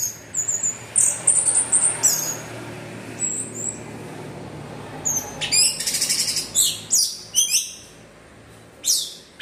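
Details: Anis merah, the orange-headed thrush, giving 'teler' style song as a lure for other birds: scattered thin high chirps early, then louder rattling bursts and sharp upswept notes toward the end.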